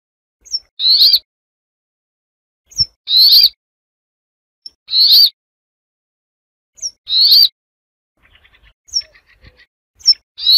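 A Brambling gives its harsh, nasal, buzzing wheeze, each drawn-out note led by a thin high tick and repeated about every two seconds; faint clicks follow near the end.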